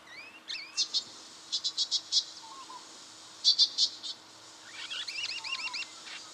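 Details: Brown treecreeper in Victoria, Australia, October 2011: short bursts of sharp, high, evenly spaced pips in groups of three to five, with looping whistled phrases from other birds around them.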